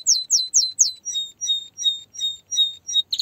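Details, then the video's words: Singing canary with four quick downward-sweeping chirps followed by a steady series of short flat whistled notes, about three per second. "Canary singing"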